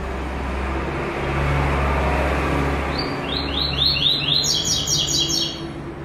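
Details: After three seconds of low rumbling background noise, a white-throated seedeater starts its classic tuí tuí zel zel song with third note: quick downslurred high notes leading into a buzzy trill.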